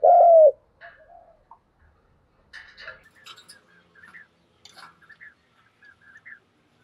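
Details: A single loud, low, hollow coo from a spotted dove (Spilopelia chinensis) used as a lure call to draw wild doves in, followed by soft, scattered high chirps from small birds.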